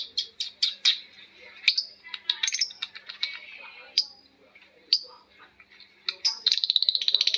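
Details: Lovebirds answering each other in long ngekek chatter: fast runs of sharp, high chirps and squeaks, several clusters in a row, ending in a rapid rattling trill of repeated notes.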